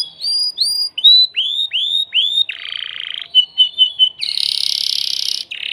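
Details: Aroused caged male canary singing to prepare a female for mating, with repeated bright upward-curving whistles, a harsh buzz, clipped notes, then a long high rattling trill.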